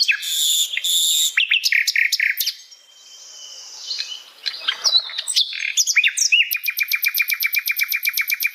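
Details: Natural-habitat song of an Asian brown flycatcher: buzzy bursts and chirp clusters, a soft whistled pause, then a steady series of quick, evenly spaced chirps.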